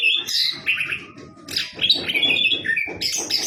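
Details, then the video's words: Orange-headed thrush singing; a varied, rich warbled phrase of whistled and slurred notes shifting up and down in pitch, with rapid rhythmic tapping or rattling underneath. "Burung Anis Kembang"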